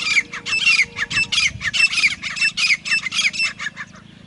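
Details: Grey francolin calling: loud, harsh, rapidly repeated notes, about fifteen bursts in four seconds, each with a sharp rising stroke, fading near the end over a faint low hum.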